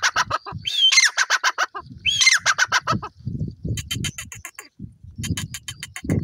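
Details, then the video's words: Dense francolin calling. Whistled openings and strings of rasping pulses overlap, over steady low-pitched background noise throughout. "Teetar Voice,Teeter Birds ki awaaz"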